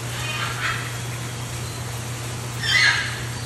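Scarlet macaw giving two harsh, raspy squawks about two seconds apart, the second louder, over a steady low hum.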